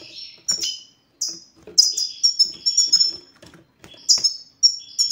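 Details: European goldfinch song in the style locally called 'satsata' or 'batbata', used to get silent males to sing: bright, high tinkling notes with quick downward slurs, given in short bursts separated by brief pauses, some lower buzzy notes between.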